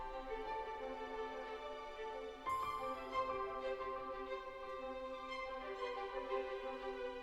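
Soft, sad instrumental music with sustained string tones and a fuller swell partway through, with no animal calls heard.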